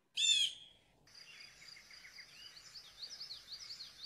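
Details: A Blue Jay gives one loud, harsh, scratchy 'jay' note, the call it is named for, then falls quiet while thin high chirps and a steady insect-like buzz carry on behind.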